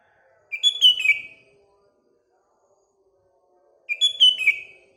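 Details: Sooty-headed bulbul morning song: two matching bright, warbling phrases roughly three seconds apart, each a tight cluster of slurred whistles, with faint low background noise.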